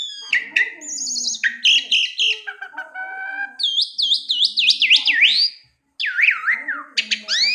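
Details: Bird song: varied loud whistled phrases, rapid trills and repeated looping notes that swoop down and up, with a brief silent gap near the end.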